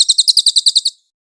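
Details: Velvet-fronted nuthatch, clearly recorded as tutor material for training songbirds such as oriental magpie-robins. A brief run of about nine sharp, high, metallic chips falls silent after one second.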